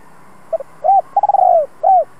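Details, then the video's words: Spotted dove kept as a decoy bird, singing a two-ending bronze-voiced coo used to provoke and train decoys: two short soft notes, a rolling stuttered coo sliding down, then one round final coo. "Chim cu gáy hai hậu giọng hay kích bổi tập mồi hiệu quả nhất. Cu gáy mồi cây kích bổi"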